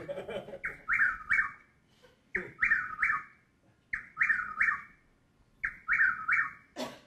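A Chuck-will's-widow repeats its rolling, whistled chuck-will's-WID-ow phrase about every one and a half seconds, with a brief murmur of a voice between phrases.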